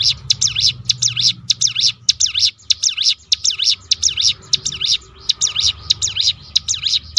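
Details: Rolling call of a crested honeyeater, used to draw song from other birds: steady series of shrill, high, up-and-down notes at a brisk pace, about a hundred per minute, with low background noise.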